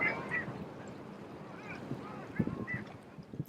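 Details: A flock of Long-tailed Ducks off Long Beach Island, New Jersey, in mid-March, calling with their squawking, yodelling din: nasal notes that rise and fall, several overlapping in quick succession over a low rumble of water.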